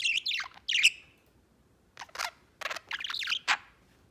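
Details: Pet white budgerigar chattering in scattered bursts of scratchy chirps and clicks, separated by short silences.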